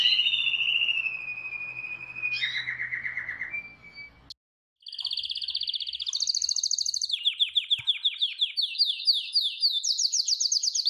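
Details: Canaries of different colours sing a falling whistle and lower trill, pause briefly, then deliver bright rattling tours and rapid repeated downslurred notes, stepping higher toward the end.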